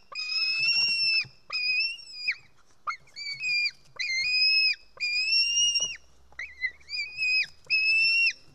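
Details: White-tailed eagle young begging at the nest in Estonia, midday 4 July 2018, as a parent brings fish: sustained shrill screams, slightly arched in pitch, given in an uneven series of eight with short gaps.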